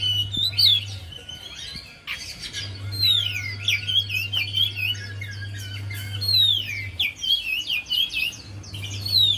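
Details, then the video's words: Javan white-eye singing to prompt a reluctant bird: long streams of quick chirping and swooping whistles with brief pauses, and a low hum that cuts in and out. "Buat Pancingan Untuk Poci Yg Malas Bunyi"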